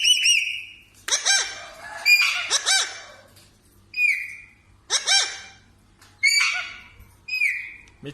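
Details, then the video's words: Parrot calling in its natural voice: harsh squawks with layered harmonics alternate with short bright whistled notes, in bursts separated by brief silences. "parrot natural voice sound"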